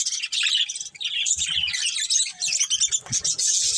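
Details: Budgerigars in a colony where a breeding pair lives, giving bright high chirps and continuous warbled twittering from several birds at once, with faint low knocks.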